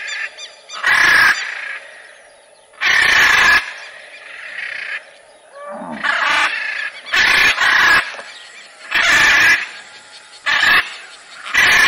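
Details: Macaw screaming repeatedly, about eight loud harsh squawks spaced one to two seconds apart, rough and broadband, with a faint constant hiss in the background.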